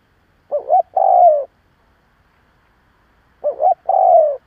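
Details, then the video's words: Spotted dove cooing as a lure to provoke other doves: two identical phrases about three seconds apart, each a short double coo followed by a longer, falling, slightly rough coo, with silence between. "Cu gáy gù gáy kích bổi cực mạnh / Tiếng cu gáy hay kích bổi / Cu mồi thúc gù kích cực mạnh"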